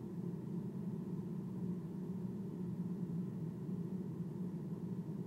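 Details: Only a steady low hum and faint hiss, like a distant engine or fan, continue unchanged; no animal is heard.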